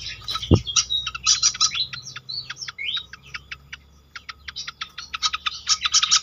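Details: Pied fantail lure recording: a sharp knock near the start, then fast chattering chips and a few rising squeaky whistles, thinning to sparse chips before a dense burst at the end.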